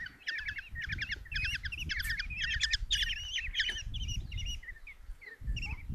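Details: Nest box in Tiszalök, Hungary, June 27, 2024: five common kestrel chicks getting a mouse from their mother give quick stuttering chitter phrases that thin out into scattered short calls, with heavy rustling and thuds below.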